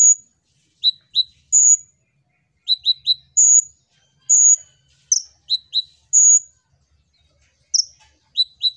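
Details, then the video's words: Energetic song of a kolibri ninja sunbird, used as a lure for other birds: piercing high whistles alternating with clusters of two or three quick downslurred chips, delivered steadily. "Pancingan Ampuh‼️Kolibri Ninja Gacor Untuk Burung Bahan Ombyokan"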